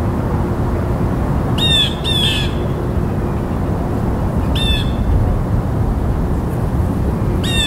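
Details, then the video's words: Harsh blue jay calls arrive in scattered bursts: a quick pair, then a single note, then another at the end. A steady low rush fills the background. "Blue Jay Bird Calls"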